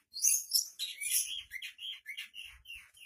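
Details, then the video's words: Shrike singing richly and mimicking other birds: a varied run of scratchy, whistled and chattering notes at high pitch, changing quickly from phrase to phrase. "burung pentet gacor isian melimpah"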